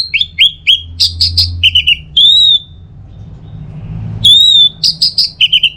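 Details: Orange-headed thrush song: a bright burst of sharp, high whistled notes and short rising slurs, followed by a quiet pause, then the same phrase repeated. A low hum sits underneath.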